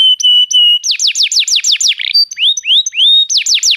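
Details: Domestic canary in full song, meant to stimulate a quiet canary: pairs of steady whistled notes, a quick series of downward-sweeping chirps, a brief buzzy burst, then rising slurred whistles and more rapid sweeps.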